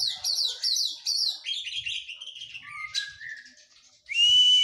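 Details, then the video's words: White-rumped shama after moulting, training song: rapid repeated high chattering descending phrases sliding into lower warbles, then a sudden loud steady whistle at the end. "KACER PRO HYPER LATIHAN FISIK PASKA MABUNG"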